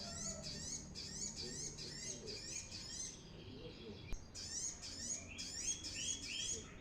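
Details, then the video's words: Brown-throated sunbird singing busily, recorded as a lure: high sweeping chirps strung into quick repeated phrases, broken by a brief pause near the middle before the pattern resumes. "suara ASLI Kolibri kelapa gacor"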